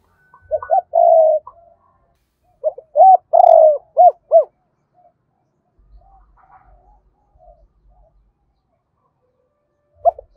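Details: Decoy spotted dove cooing to lure a wild rival, in the double-voiced style with two ending notes: two phrases of a short note, long steady coos, a drawn-out falling coo and two arched closing notes, with a faint whistle at the start.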